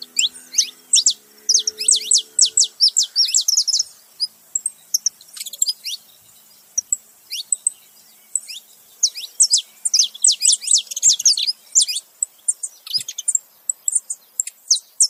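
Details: Male and female Saffron finch calling together: long stretches of rapid, high, sharp chips and downward-slurred notes in bursts, with a brief low tonal hum early on.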